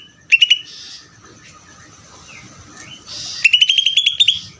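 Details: Greater green leafbird singing ngeder: a short trio of sharp chirps, a long quiet gap with faint whistles, then a rapid run of about ten bright clipped notes at the end.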